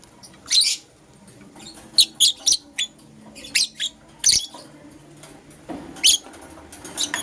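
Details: Pet lovebirds, a Green Personata and a Yellow Pastel Pied, chirping in the morning: short sharp high chirps in scattered bursts, several quick pairs and triplets, with quiet pauses between.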